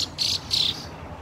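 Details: Fieldfare chick with its family, recorded on 2 June: three short, high-pitched squeaky notes, the first clipped and the next two longer and slightly buzzy, over a faint low hum.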